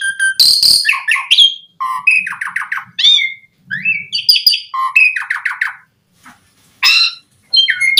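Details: Asian pied starling song used to lure starlings into singing; a jumble of squawky notes, rapid rattling chatter and rising whistles, with short silent breaks.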